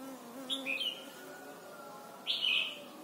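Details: Thai Red-whiskered bulbul, recording for training young birds to sing: two short whistled phrases, the first a quick slurred pair of notes, the second louder and richer, with a low hum beneath.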